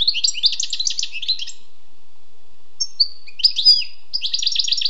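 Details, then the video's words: Wild European goldfinch pouring out a fast liquid twitter, pausing, then adding a few clear whistled notes and launching another rapid jingling sequence. "Écoutez et appréciez le doux chant du chardonneret sauvage"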